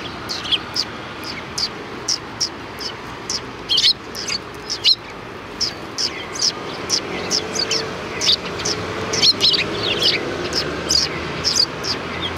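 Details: Sparrows greeting a person at the back entrance of a Tenmangu shrine, 25 February 2020: a crowd of short, sharp chirps repeated rapidly and unevenly throughout, over faint voices and a low traffic hum.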